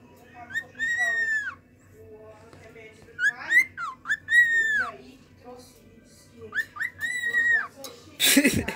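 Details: Pet cockatiels (Nymphicus hollandicus) give loud, arched, whistled calls in three bursts a couple of seconds apart, with soft chatter between and a brief rustling clatter at the end.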